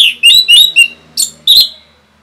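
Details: Rapid song of an Orange-headed thrush, meant to provoke other birds: a fast string of bright, slurred whistles and chirps in short bursts, ending on one drawn-out whistled note.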